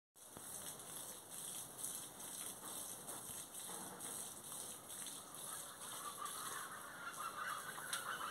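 Plain chachalacas give harsh, raucous, fowl-like calls in a rapid, ragged chorus of about four notes per second, over a steady hiss of background noise.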